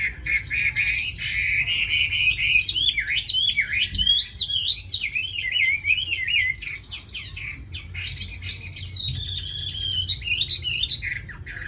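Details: Tame Chinese hwamei, a bird with a very fine voice, singing a loud, fluent song of long wavering, swooping whistles with a short pause partway through.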